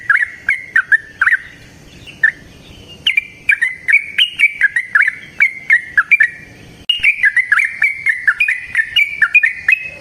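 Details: Lure recording of a yellow-vented bulbul's long rolling natural song: bright, gurgling whistled notes in quick succession. Phrases come in bursts with short breaks, and the delivery picks up and grows denser after about three seconds.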